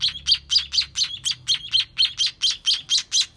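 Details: Sparrow nestlings being fed, calling in a rapid, insistent train of high, harsh chirps at about two per second with no pause.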